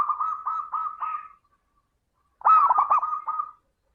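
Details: Lively zebra dove song, played as a lure to make other doves sing: a run of five soft, evenly spaced coos, a pause of about a second, then a louder rolling phrase of quick bubbling notes ending in a trailing coo.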